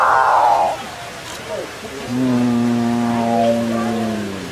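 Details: Excited capuchinbirds calling at each other and at the recordist. A brief higher moan opens, then a pause, then a long, low, harmonic-rich mooing note that holds steady and slowly falls for over two seconds.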